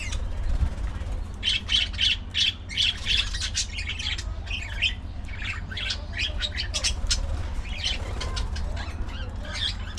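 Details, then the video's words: Budgies chirping and socializing in a lively colony: dense runs of sharp, high chirps and squawky notes, loudest early on, then scattered twittering over a low background drone. "Budgie Parrot Colony! A Colorful & Chirpy Paradise!"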